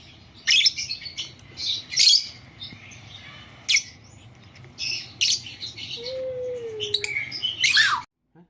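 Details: A blue Fischer's lovebird kept as a pet chirps in short, sharp, high-pitched bursts spaced a second or two apart, with quieter gaps between and faint room noise.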